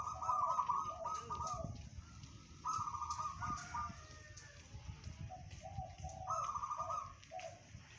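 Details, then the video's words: Local zebra dove singing in the bedah karang style, a voice said to carry 500 metres: rapid staccato trilled coos in short bursts, repeated in overlapping phrases, with faint low rumbling behind. "perkutut lokal suara bedah karang tembus 500meter"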